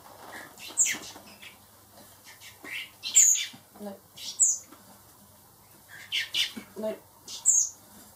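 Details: Hand-raised baby blackbirds, four young birds meant to be released later, utter shrill squawks and thin high chirps in uneven clusters, with faint lower rustling between calls.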